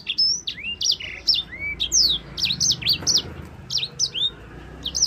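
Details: Yellow-fronted canary (sanger) singing a long rolling song, used as a tutor recording for other songbirds: rapid high whistled notes, sharp upslurs and downslurs delivered in quick bursts, with a faint low hum underneath.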